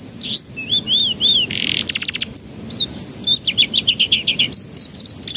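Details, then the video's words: Canary singing as a lure to make young canaries start singing; a varied song of arched whistles, a buzzy burst, then fast rattling trills and repeated high notes speeding up toward the end. "Pancingan Kenari Paud Agar Cepat Pecah Suaranya"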